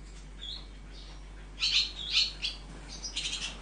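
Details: Nestling swallows being raised, giving a few scattered high chirps, quiet at first, then a livelier cluster of sharp, slightly squeaky notes in the second half.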